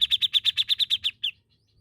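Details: Grey-cheeked bulbul in lively song: a fast even run of about ten bright, slightly buzzy notes at a steady pitch, roughly nine per second, ending in a longer downslurred note, then quiet.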